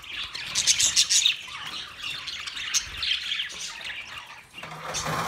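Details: Budgerigars sharing a big cage on 9 March 2024, a burst of loud rapid squeaky chirps at the start, then softer continuous twittering and scratchy warbles.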